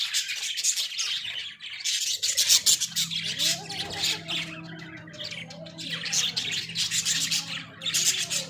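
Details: Caged pet Australian budgies in a small cage chattering in bursts of harsh, high squawks and twittering, a softer warbling stretch in the middle, then renewed loud chatter, with a constant low hum beneath.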